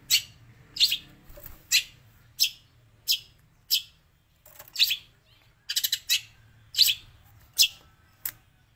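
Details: Long-tailed shrike giving imitations of sparrow and prinia; loud, harsh, high chirps spaced under a second apart, with a few rapid stuttered clusters and short quiet gaps between notes.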